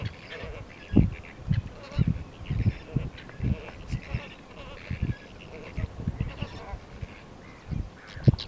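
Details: A flock of Chilean flamingos at Doblas, La Pampa province, on 21 October 2018, gives a steady chorus of short, goose-like honks overlapping roughly every half second, with low rumbling background noise.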